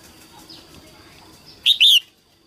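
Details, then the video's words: Female red-whiskered bulbul, a cage bird singing early in the 2022 season to stimulate males: one loud, short, two-part whistled phrase, clipped and rising then falling, after quiet faint background chatter. "Tiếng chim Chào mào mái hót kích trống đầu mùa 2022"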